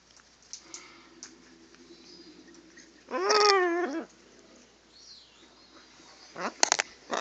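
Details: Two pet macaws indoors, recorded on a phone: one loud harmonic, wavering squawk about a second long, surrounded by quieter chatter and a sharp burst near the end.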